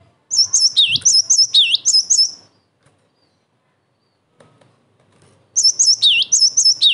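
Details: Cinereous tit delivering an emotional, steady song meant to draw answers from other tits and to train young ones; sharp high whistles with looping dips in a two-second phrase, repeated after a quiet pause.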